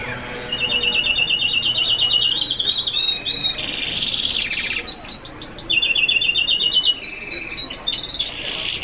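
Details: Sustained singing of F1 hooded siskins from Colombia: long buzzy, rattling trills interspersed with sweeping slurred notes and chirps, continuous high twittering throughout.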